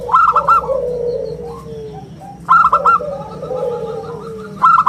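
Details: A local zebra dove singing energetically, its crystal-clear round song used as a lure and a model for young birds. Fast ringing staccato phrases repeat about every two and a half seconds over softer low cooing.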